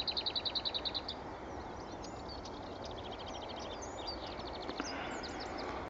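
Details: A lesser whitethroat at Pegwell on the morning of 24 April 2015 sings a fast, dry rattle of about a dozen high notes, then soft scratchy warbling, over wind and distant traffic; a faint hoopoe call is possibly heard.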